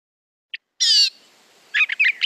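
Gray Catbird song: a soft chip, a harsh buzzy mewing burst, then a jumble of quick squeaky notes. The phrases change each time rather than repeating.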